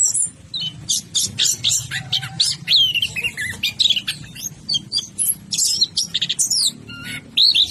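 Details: Orange-headed thrush singing rapidly: fast sequences of high, sharp whistled and trilled notes with mimic-like variety, over a low background rumble.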